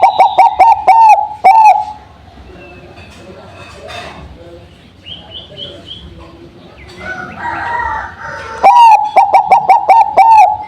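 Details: Bangkok-type zebra dove, kept as a lure bird after dew exposure, giving bursts of rapid, stuttering, resonant cooing notes at the start and end, separated by a quieter stretch of faint chirping from other birds.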